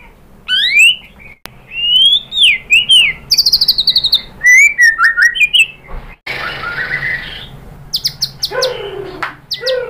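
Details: Murai batu (white-rumped shama) singing loud tembakan material, used as a pancingan to provoke replies: rich rising and falling whistles, fast rattling bursts, and a buzzy harsh phrase, delivered in vigorous, varied strings.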